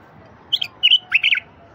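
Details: Wild bulbul song used to coax silent wild bulbuls into singing: three short, bright chirping phrases in quick succession, sharp and slightly warbled, over a quiet background.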